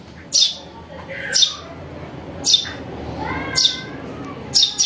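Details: House sparrow chick call used for luring birds: a few spaced, piercing chirps, with a softer, lower warbling sound between them.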